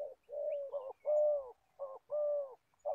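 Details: Decoy spotted dove, an old bird used for trapping in Gia Lai, Vietnam, singing low mellow coos: a long note, a quick double coo, then a sustained hollow coo, pattern repeating.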